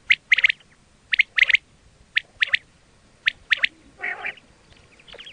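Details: Quail sound used for hunting: paired high, clipped notes repeated about once a second, with a brief rougher burst near the end.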